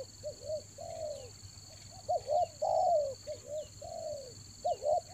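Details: Spotted dove lure calls for the rainy season: short double coos mixed with longer, smooth falling coos in quick succession, accompanied by a continuous high-pitched electronic tone.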